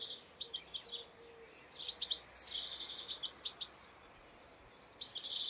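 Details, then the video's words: European goldfinch song, bursts of rapid high tinkling and buzzy twitters separated by short pauses, with a faint low tone early on. "European goldfinch (Carduelis carduelis) singing"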